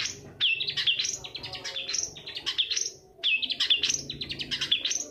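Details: Long-tailed shrike lure song meant to stimulate reluctant birds into singing: dense, scratchy high chatter mixed with quick whistled slurs, in two bursts split by a brief gap.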